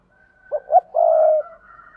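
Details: Spotted dove decoy giving a coo to lure wild doves: two short notes then a sustained low hoot, over a faint steady higher tone.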